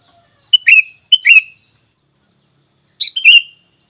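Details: Sooty-headed bulbul lure sound meant to bring wild bulbuls to reply: three quick whistled phrases, two close together and one after a pause, each a short sharp note then a fluty falling slur.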